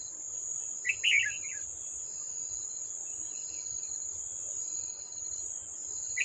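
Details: Red-whiskered bulbul, an old wild bird, answering a decoy at a trap on 18 July 2024; one quick burst of jumbled chirping notes, then only a continuous shrill insect hum and faint ticking.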